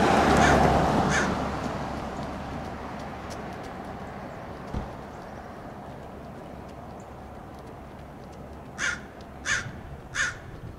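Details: Wild American crows mob and dive-bomb a roadside red-tailed hawk in Del Monte Forest, California; two rasping caws open, then a long quiet stretch of low rumbling noise, then three harsh caws about half a second apart.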